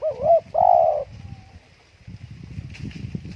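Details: Spotted dove at home on a windy day, two loud, full coos, the second long and sustained, then a faint trailing note, followed by low rumbling wind noise.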